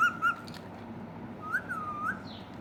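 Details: Indian ringneck parakeet, a talking pet parrot, giving clear mid-pitched whistles: two short level notes, then a longer smooth whistle that dips and rises, over faint room noise.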